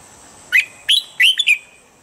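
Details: Red-whiskered bulbul song used as a standard voice for training birds each morning: a short phrase of four bright, clear whistled notes, each starting with a sharp upward flick, fairly loud over a steady faint hiss.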